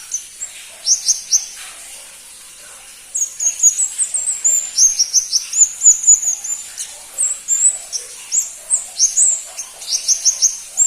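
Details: Pentis pelangi, the crimson-breasted flowerpecker, rarely kept by songbird enthusiasts: a few high chips, a short pause, then a long sequence of very high, thin, clipped notes and slurred ticks in quick irregular bursts.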